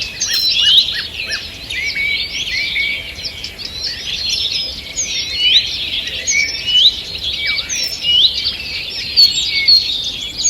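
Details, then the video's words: Early-morning forest chorus, 2 June 2023, with numerous birds: continuous high chirping and warbling, thin upslurred whistles and a few downward slurs, loudness swelling and easing over ten seconds, steady background hiss. "Утреннее пение птиц"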